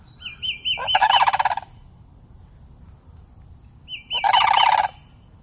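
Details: In a city where they live all year, two juvenile sandhill cranes approach to greet someone, filmed on an iPhone. High wavering trills run straight into loud, pulsed, rolling rattles, twice, with a quiet gap between.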